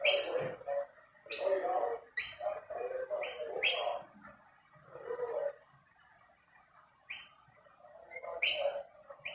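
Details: Rainbow lorikeets gather at two plates of snack, and a dominant male keeps other birds from the food. A run of short, piercing screeches in bursts is interspersed with low gurgling chatter, then a quiet gap before more screeches.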